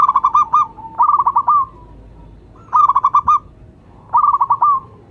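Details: Perkutut lokal, the local zebra dove, sings loud phrases of four or five quick staccato coos ending in a held note, repeated at steady intervals over a quiet background.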